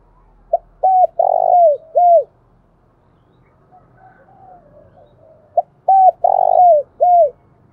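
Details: Two full coo phrases from a spotted dove in 'thúc bổi' and calling style, about five seconds apart. Each is a quick pip, a hoot, a long rolling coo and a falling final note, with faint low background rumble in between.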